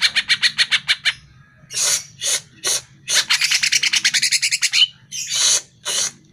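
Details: Greater green leafbird song used to make caged birds respond: a quick rattle of evenly spaced chirps, rasping broadband bursts, then a fast chattering run of scratchy notes and two final harsh bursts.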